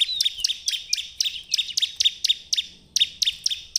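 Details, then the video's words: Lure recording of a bar-winged prinia singing to coax other birds into song: an unbroken, rapid series of sharp high chirps, roughly four per second, over a faint sustained whistle. "pancingan ciblek terbaik untuk memancing ciblek gacor"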